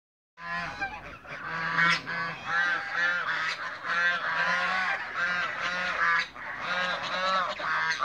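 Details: Mature and young African geese in a backyard on a Greek farm, a loud flock chorus of harsh, overlapping honks running almost continuously for eight seconds, with barely a pause.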